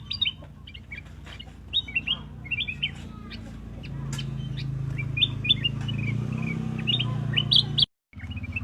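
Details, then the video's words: Quick high chirps from a black-crested bulbul, short rising and falling notes given in loose bursts, with a low rumbling hum swelling midway and a brief dropout near the end. "black-crested bulbul chirping sound"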